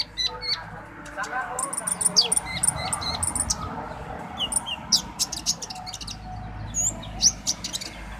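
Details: Orange-headed thrush, called konin dacok, singing: sharp high chirps and short whistled notes in scattered bursts over steady background hiss, with a faint low hum throughout.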